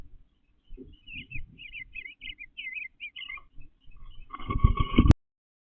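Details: Nest-building male eastern bluebird in a backyard, 29 April 2025, pulling pine straw from flower beds; a clear string of soft warbled notes runs for several seconds, then a loud harsh burst of noise ends abruptly.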